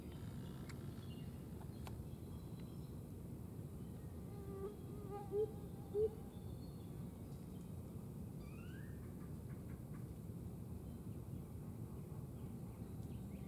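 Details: A Blue-capped motmot at Parque Ecológico Chipinque, San Pedro Garza García, Nuevo León, Mexico, on 5 May 2023 gives two soft, low hoots about half a second apart over a steady low rumble, with a brief rising chirp from another bird afterwards.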